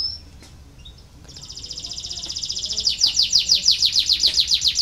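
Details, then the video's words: Canary song used to stimulate lazy canaries to sing: after a brief whistle and near quiet, a high, fast, even trill builds in loudness and slows into distinct, strongly repeated sweeping notes. "KENARI BELAJAR BUNYI UNTUK MERANGSANG BUNYI- pancingan kenari malas bunyi"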